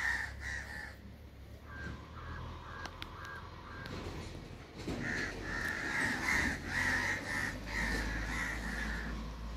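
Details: Crow cawing in a long series of harsh, nasal calls, sparse at first and then a rapid, loud burst of repeated caws, with faint low background rumble.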